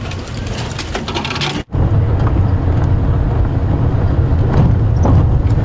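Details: Steady low vehicle engine rumble with a brief cut near two seconds, plus faint scattered clicks and distant murmurs; no animal calls stand out.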